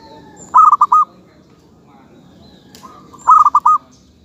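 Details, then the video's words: Local zebra dove song: two short phrases about 2.7 seconds apart, each a quick run of four to five bubbly, low cooing notes, with quiet pauses between. "suara kutut lokal"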